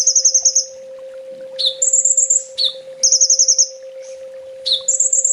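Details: Olive-backed sunbird (kolibri ninja) master song in full 'tembak' style, used to train caged birds: very high, rapid buzzy trills in bursts of about half a second, alternating with sharp rising notes, repeated every 1.5 seconds over a steady low hum.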